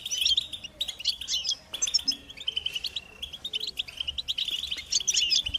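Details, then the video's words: Group twittering from European goldfinches, described as mating calls that stir males to sing. Quick liquid twitters and buzzy chips run almost without pause, with a brief drawn-out note near the middle and a thick burst at the end. "بتبتة الحسون تحفيز الحسون على التغريد والهيجان علاج صمت الحسون goldfinch stimulation"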